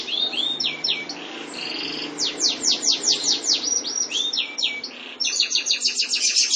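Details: White canary song mixing rolling trills, quick down-slurred whistles and bright high rattles in fast, varied tours with no pause.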